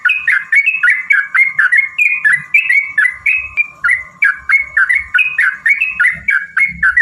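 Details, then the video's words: Yellow-vented bulbul, used as a lure to provoke rivals into singing, giving a long rapid run of bubbling two-note phrases, each a high note dropping to a lower one, repeated about four times a second without pause. "trucukan gacor TARUNG ROPEL PANJANG pancingan trucukan agar bunyi jadikan burung trucuk gacor EMOSI"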